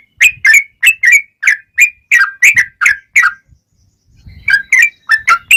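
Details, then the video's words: Sooty-headed bulbul in full song, played as a lure to draw replies from other bulbuls: quick fluty two-part whistles repeated in a run, a brief pause, then the phrases resume with faint low rumble. "SUARA trucukan gacor ROPEL PANJANG pancingan trucukan agar bunyi"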